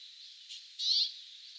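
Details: Brambling calls recorded in winter 2022: a faint short note, then a louder, slightly rising note lasting about a quarter second, over a steady high background hiss.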